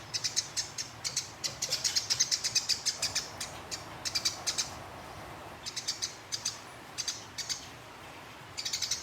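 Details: Sparrow in fighting mode with a rolling chatter, kept as master material for songbird contests: bright, high-pitched chirps come in rapid runs, each burst a string of quick notes separated by brief gaps, against a quiet background.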